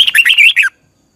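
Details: Red-whiskered bulbul training song in the 'xoắn tít' style, meant to make birds fiery: a single fast chattering phrase of about six tumbling, slurred whistled notes lasting under a second, followed by silence.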